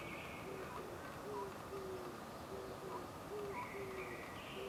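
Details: Oriental scops owl hooting on a tree branch at the Suchon-ri tombs, Gongju, Korea, on 24 April 2025 around 09:17, giving short, low hollow notes in a loose repeating series over a steady hiss, with thin higher whistles, likely from other birds, in the background.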